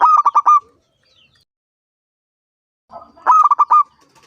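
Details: Five-year-old local zebra dove, a strong singer used to coax other doves to sing; two quick bursts of staccato cooing notes separated by nearly three seconds of silence.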